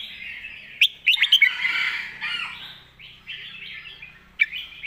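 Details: Red-whiskered bulbul in master-song style: a tight run of lively whistled notes, then a sustained chattering blur of bird voices that fades, with a final sharp note near the end.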